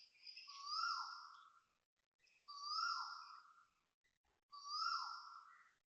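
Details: Asian koel calling loudly with vibrato at 6.13am on 13 November 2025, Toa Payoh Lorong 8, Singapore: three strong, wavering notes near the same pitch, each swelling then fading, repeated about every two seconds in a quiet dawn setting.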